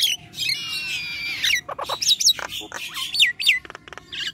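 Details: Nias hill myna singing 'gacor', meant to coax quiet mynas into song: a long buzzy harmonic note, then looping whistles and harsh clicks in quick succession.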